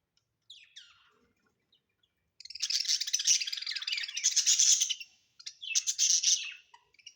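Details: Pet budgerigars at home give a few thin falling chirps, then a long, loud, raspy chattering warble, a brief pause and another harsh burst.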